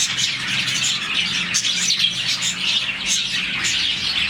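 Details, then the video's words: Budgerigar colony of about 40 birds in contented morning chirping: dense, high-pitched chatter with several clearer whistled notes standing out, continuous and overlapping from start to end. "Lovebirds, budgies, parakeets morning chirping sound"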